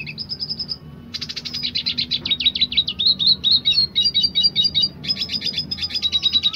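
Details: Red siskin of the dilute colour form in full roll tembak song: a short high trill, a pause, then a long unbroken stream of rapid buzzy twitters and sharp chips.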